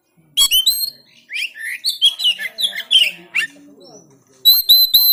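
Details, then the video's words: Oriental magpie-robin from Banten, Indonesia, recorded with an Android phone as training audio for silent birds. Sharp opening notes and a string of slurred whistles, a quieter pause, then three clear high ringing whistles. "SIULAN NGOTOT EMOSI‼️Memancing Kacer Macet Bunyi Gacor Bongkar Isian"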